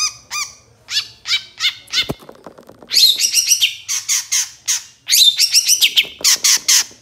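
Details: Long-tailed shrike song recorded as a master for teaching songbirds: clear stacked whistled notes at first, then a dense chattering stretch of rapid squeaky phrases and harsh bursts.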